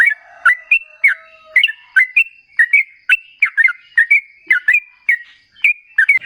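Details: Long rolling song of a sooty-headed bulbul used as a lure: clear, gurgling two-note whistled phrases repeated steadily about twice a second, rising and dipping in pitch.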